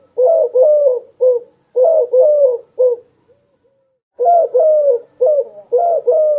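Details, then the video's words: Low, breathy cooing from a mourning dove, clustered notes with a gap of about a second and a half before the soft hooting resumes. "dove sounds"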